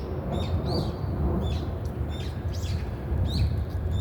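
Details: Brown-eared bulbul calls: brief high chirps and slurred notes scattered through the clip, fairly faint against a constant low-pitched rumble of environmental noise.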